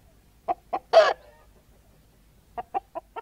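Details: Cackling hens give two quick clucks, then a loud harsh drawn-out squawk, a short pause, and four more clipped clucks in a fast, uneven rhythm.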